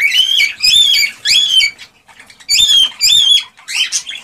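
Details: Cockatiels, in a recording meant to stimulate breeding, give loud harmonic squawking calls in two groups of three, each a wavering, slightly bending note with a short quiet gap between groups, indoors.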